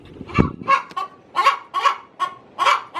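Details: Hen cackling in the coop ahead of laying: a low thump, then five loud harsh clucks roughly every half second.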